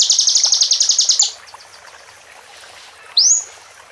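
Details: Fast high-pitched buzzy trill from a plain prinia in full song, cutting off after about a second, then quiet, then one clear rising whistle.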